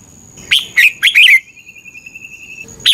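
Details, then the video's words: Thai red-whiskered bulbul song played for caged birds to learn or to rouse them: one quick phrase of four bubbly whistled notes, followed by a thin steady high trill from another source and the start of a new phrase. "เสียงนกกรงหัวจุก สำหรับต่อ หรือ เปิดให้นกคึก เสียงเพราะๆ"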